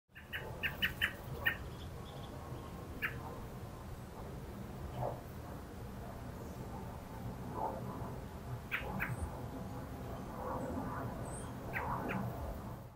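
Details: An American robin, calling and landing on a branch, gives short, sharp chips in quick clusters, a rapid burst near the start and more scattered ones later, over a steady low background rumble.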